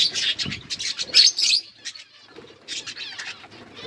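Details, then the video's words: Budgerigars eating green food give a burst of rapid, harsh chirps and warbling chatter for about a second and a half, then softer scattered chirps and quieter chatter with low rustling underneath. "Budgies parrot eating green food birds chirping sounds"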